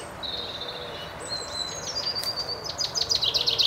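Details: Common chaffinch singing in a 2013 recording: a high thin whistle, then a quickening run of sharp, bright notes ending in a rattling flourish, over steady hiss; viewers report a robin, a distant chiffchaff and a blackbird in the background.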